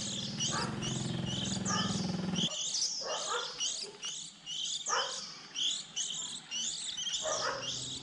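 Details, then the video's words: Young white-eyes early in the 2020 season, recorded for use as a trapping lure when birds leave the nest around April; dense overlapping high thin chirps and twitters from several birds, with a steady low hum during the first two seconds. "Tiếng khuyên non đầu mùa 2020"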